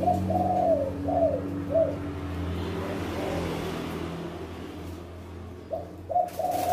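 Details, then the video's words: Loud-voiced male spotted dove giving its two-'kuk' coo: a few deep, rounded coos at the start, then a passing vehicle rumbles through before the coos resume near the end. "Masteran Tekukur Kuk 2 Gacong Suara Besar"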